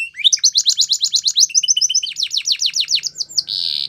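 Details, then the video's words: Canary singing a training song: a fast regular series of high downward-sweeping chirps, about six per second, ending in a steady buzzy rattle. "Canary Bird Singing | The Best Canary Training Song"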